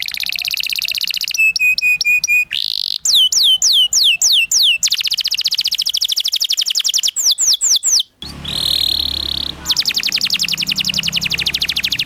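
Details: Varied canary master song for young learners: crisp chips, a buzzy note, sets of falling and rising whistles, a short noisy burst, then a long fast rolling trill.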